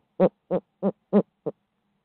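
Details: Barred owl from midtown Tulsa calling a run of five rich, harmonic hoots, roughly three per second, the last note shorter and softer, in quiet surroundings.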